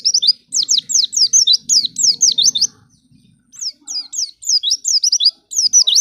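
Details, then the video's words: White-eye song used as a lure to make other white-eyes start singing quickly: rapid series of high, thin, sharply down-slurred notes in dense bursts, two long phrases split by a short pause, with a faint low hum beneath. "Pancingan Pleci Paling Handal Bikin Pleci Bahan Cepat Bunyi"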